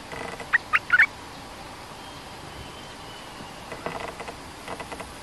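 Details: A cream-vented bulbul gives a quick run of three sharp, bubbly notes early on, then falls silent apart from faint rustles. It is a lure call at a trap cage where a territorial resident bird came down and pecked at the cage.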